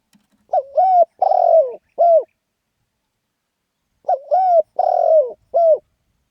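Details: Lively 'khan yon' crowing of a spotted dove. The same four-note coo phrase is heard twice, about three and a half seconds apart. Each phrase has a short lead note, a two-part coo, a drawn-out buzzy descending note and a short end note.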